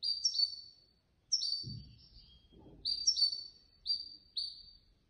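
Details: Third-placed competition goldfinch from a Casablanca bird lovers' association contest repeating short, bright, liquid twittering phrases of downslurred high notes roughly every second, with occasional low knocks in the background.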